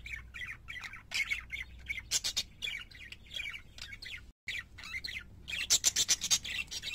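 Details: Singing parakeets in a steady, dense chatter of buzzy, high chirps and squawks. A brief dropout comes midway, then a fast, rhythmic run of harsh notes.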